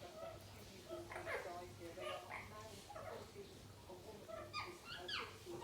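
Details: Indian ringneck parrots playing together: harmonic chattering notes that sweep up and down, with brief rising chirps near the end, over a steady low electrical hum.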